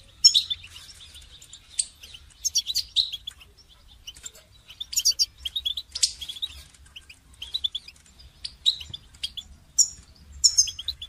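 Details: Goldfinch song meant for training songbirds: a lively run of high twittering phrases, tinkling chirps and brief trills spread irregularly through the recording, over an otherwise quiet background.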